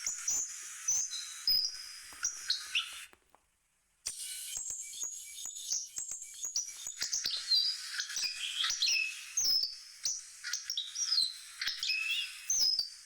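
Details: Long sequence from a hawfinch: high, thin chirps and brief whistled slurs in a rapid irregular stream, broken by a one-second silence before resuming more densely.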